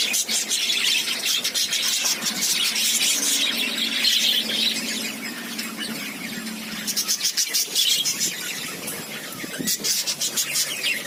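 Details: Lovebirds at feeding time, giving a continuous chorus of shrill, overlapping squeaky chirps and chattering calls from several birds, with a low hum in the background.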